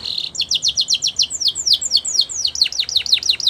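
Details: Canary singing in the wild: a short buzz, then a series of clear descending whistled notes repeated roughly four per second, slowing slightly toward the end.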